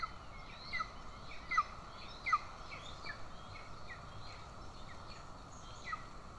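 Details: An aggressive golden eagle chick being fed by its mother in Estonia, 20 June 2024, father present with a bird; clear, piercing downslurred squeaks come in quick bursts, then thin out into fainter chirps.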